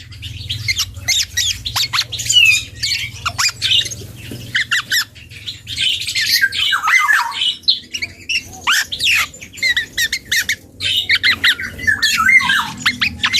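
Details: Young black-and-yellow oriole learning to sing, producing bursts of squawky chatter and short whistles in irregular clusters over about thirteen seconds, with a low hum at the start.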